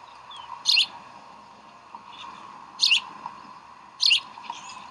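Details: Bald eagles at the Decorah nest on 04-11-2012, with chicks being fed at brunch time: three brief, sharp, high chirps spaced about a second and a half apart over a steady low background hum.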